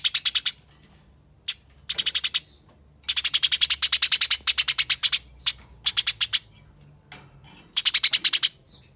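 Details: Fighting Eurasian tree sparrow chattering harshly: fast trains of scratchy chips in repeated bursts, some long and dense, with a faint continuous high tone behind.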